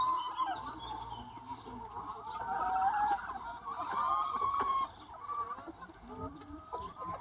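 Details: Free-range chicken flock on a sunny spring day, a crowd of hens giving wavering, drawn-out clucks and murmurs that swell loudest midway and then ease into softer scattered calls.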